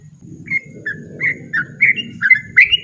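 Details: Softer run of yellow-vented bulbul 'ropel' notes, bright short whistled chirps stepping up in pitch toward the end, against a noticeable low murmuring background.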